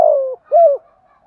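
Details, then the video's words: Spotted dove used as a decoy to goad wild doves into answering: a long, low, slightly falling coo, a short pause, then a shorter arched coo note. "chim cu mồi thúc gù bài bản. tiếng gáy bổi rừng rất ghét, nghe điên đảo gáy theo liền"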